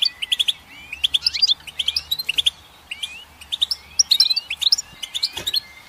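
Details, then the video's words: Goldfinch singing steady twittering phrases of crisp chips and slurred whistles, repeated in quick groups, with a faint thud near the end. "Goldfinch Song"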